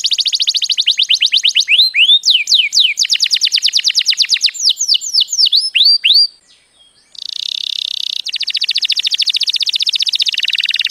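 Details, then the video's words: Male canary in strong, loud song linked to mating and stimulating females: fast repeated chirps at an even pulse, then downward-sweeping whistled notes, a brief pause, and a long buzzy rapid trill at the end. "Strong and awesome canary singing"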